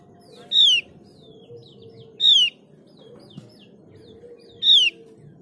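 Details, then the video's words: Mees's white-eye, played to prompt other white-eyes to sing: three bright descending whistles with harmonics, spaced about two seconds apart, scattered soft chirps, and a background hum. "Pancingan opior jawa biar gacor dijamin opior jawa bahan dan opior jawa ombyokan pasti nyaut"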